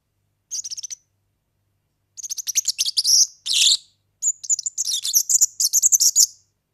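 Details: Song of a European serin, played for tutoring young birds: a brief high trill, then a long, hurried, tinkling stream of buzzy twitters and a harsh rasping note, all very high-pitched.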